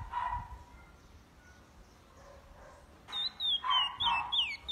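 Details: Chestnut-bellied seed finch (curió) singing the Paracambi song style with repetition: a faint, muffled opening, then from about three seconds loud clear whistled phrases that slide downward, repeated in quick succession.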